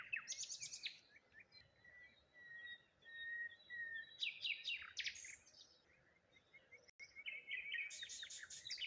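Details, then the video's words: Waterside morning birdsong by a lone tree and rose hips, with stacked high trills, a plain whistled note held for seconds, and repeated buzzy chirp bursts in an otherwise calm setting. "Morning Birds Sounds"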